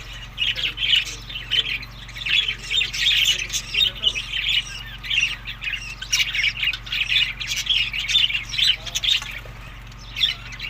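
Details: Budgerigars fed summer food between May and June chatter continuously with harsh warbles and squawks for about ten seconds. A low steady hum runs underneath.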